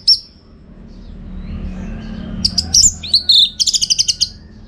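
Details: Orange-headed thrush used for training contest birds in North Bali: one high note, a quiet gap, then a lively series of sharp chirps ending in a fast high trill; low background hum.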